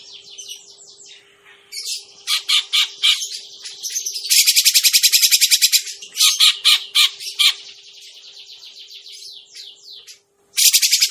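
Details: Grey-cheeked bulbul trapping lure: soft down-slurred whistles and scattered harsh chirps, a loud burst of fast grating chatter midway, more broken chirps, and another rattle starting at the end, over a faint hum.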